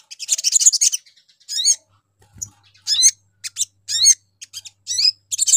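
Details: Sogon sunbird lure call meant to draw other birds: sharp high chirps and rapid buzzy trills in short bursts, with steeply rising notes repeated about once a second, over a faint low hum.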